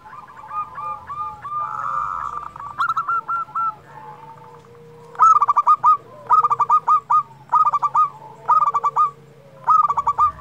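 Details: Local zebra dove singing to rouse silent or stressed doves: an opening run of coos, then phrases of rapid stuttering notes repeated about once a second, each phrase a quick descending series of clipped coos.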